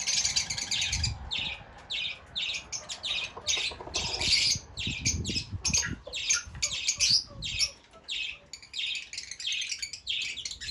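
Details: Fischer's lovebird chatter of rapid, harsh, high squawks and chirps, nearly continuous, with occasional low thumps or handling noise beneath.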